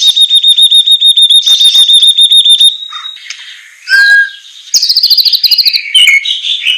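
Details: Training song for captive white-rumped shamas, beginning with a fast, even run of repeated whistled notes, then swooping whistles and a rapid buzzy trill.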